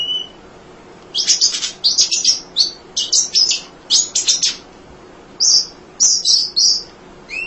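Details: Munia singing without pause as a tutor for other songbirds: after a lone whistle, clusters of high, scratchy chirps come in short bursts separated by brief pauses.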